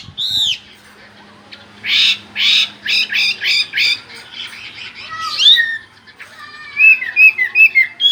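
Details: Chinese hwamei delivering a burst of loud buzzy rapid notes, then sliding whistles and a quick run of short chirps, with a faint low hum early on.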